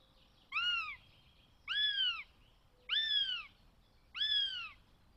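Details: Northern goshawk chick in a nest in the Netherlands, 20 June 2020, begging: four drawn-out, harmonic, downslurred wails, each about half a second long and spaced roughly a second apart, over a quiet background.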